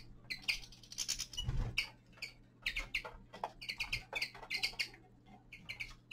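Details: Young male common linnet singing in winter: quick twittering bursts of short, buzzy chirps, some in tight runs and others spaced, over a steady low hum and soft clicking.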